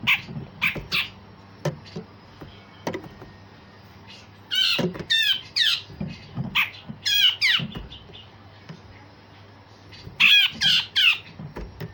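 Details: Grey-cheeked bulbul, kept as a vocal tutor to provoke other songbirds, pours out loud, rough rasping phrases and sharp shot-like notes in irregular bursts, with quieter clicks between them.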